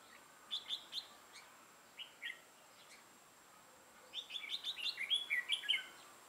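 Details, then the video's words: Red-whiskered bulbul used as a decoy to trap wild birds, lân-crested with a dark bib, 6 November 2018: a few sparse chirps, then a quick run of bright warbled notes repeated rapidly over a soft hiss. "Bẫy chào mào Mào lân hầu bò yếm đậm"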